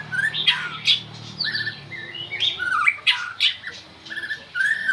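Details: Oriental magpie-robin, known locally as binla, giving a varied run of clear whistled notes mixed with harsher squawky phrases, short bursts following each other closely over a quiet background.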